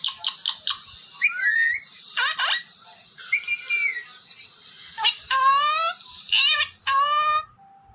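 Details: Ring-necked parrot, a talking pet bird, giving short sharp chips, then rising whistled slurs and nasal, drawn-out word-like notes, with a faint steady tone at the end.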